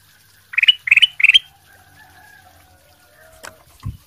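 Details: Ruby-throated bulbul singing masteran, a song used to train other birds, in three fast bursts of bright chattering notes within one second, followed by quiet with a faint thump and a soft rustle.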